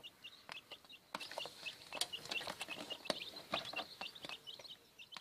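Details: Newly hatched quail chicks, a first brood in a warming incubator: rapid high thin peeps repeated many times each second, mixed with tapping and clicking knocks.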